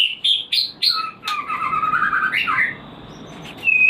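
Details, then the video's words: White-rumped shama singing to raise breeding drive: several sharp whistled notes, then a rolling warble that drops and swoops back upward, and finally a clear short whistle after a brief pause. "Pancingan untuk burung Murai Batu Breeding / menaikkan birahi"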